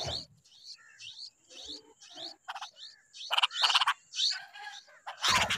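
A bulbul gives a run of short, bright chirping notes, about two a second, then harsher rasping bursts near the end.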